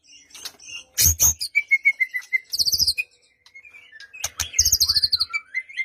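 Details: White-rumped shama song for provoking a quiet bird to answer: a string of level whistled notes between loud rattling bursts and high fast trills, with some low knocking sounds.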